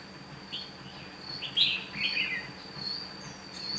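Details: Decoy red-whiskered bulbul singing to draw wild birds into a trap, recorded 8 June 2016: a few sharp, sweet chirped notes in a cluster, set against a steady high insect whine.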